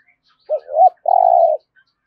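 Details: One thúc gù phrase from a spotted dove with a rolling thổ rền voice: a short low coo, a rising-and-falling coo, then a long, steady, buzzy trilled note.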